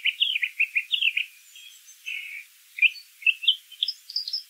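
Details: Brown thrasher song outdoors, bright chirped notes repeated in short groups, a husky buzzy phrase in the middle, then higher paired notes climbing toward the end over faint background hiss.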